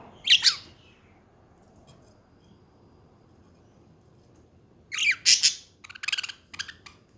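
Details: Pet budgerigars chattering: a sharp squawk near the start, then after a quiet gap a burst of harsh squawks and rapid scratchy chirps toward the end.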